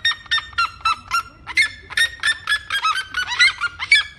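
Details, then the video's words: Red-legged seriema song: dense run of loud, harsh yelping notes, several overlapping, each with a sharp ringing tone, delivered rapidly and unevenly for about four seconds. "O canto da Seriema"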